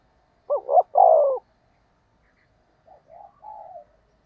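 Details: Spotted dove giving a luring coo for wild doves. One low phrase, a quick double note then a longer falling coo, followed by soft, quieter muttered notes.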